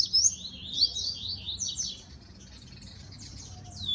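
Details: High, fast twittering song of a captive-bred double-collared seedeater kept for singing tournaments: a dense run of slurred buzzy notes for about two seconds, then fading into softer trailing notes.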